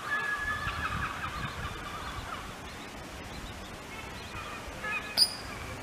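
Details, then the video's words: Eurasian coot calling to its chick while the family swims in a canal; a run of nasal, harmonic calls fills the first two seconds, then quieter short bursts return near the end, followed by a sharp click. "Eurasian Coot Calling its Chick"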